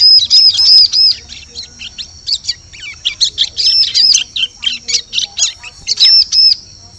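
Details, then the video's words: Forest lure sound of a bar-winged prinia: a string of high arched whistles opening the phrase, followed by quick staccato chips, then two more arched notes at the close. "Suara Pikat Burung Ciblek Cocok Untuk Memikat Di Hutan"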